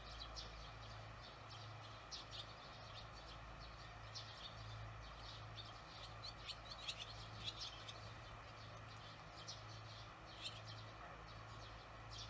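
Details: Barn swallows observed in the evening after work on 18 June 2020: faint, high chirps and twitters scattered throughout in quick bursts over a steady low engine hum and background noise.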